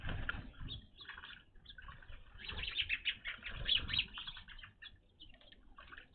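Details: Evening grosbeaks visiting a feeder, a first sighting at the spot: busy chorus of short chirps and clipped whistled notes, loudest midway, with low thuds and rustling below.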